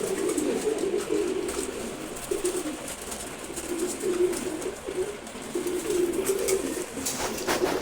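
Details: Young racer pigeon, a month old and already flying well, uttering soft, low cooing phrases in separated runs with short quiet gaps between them.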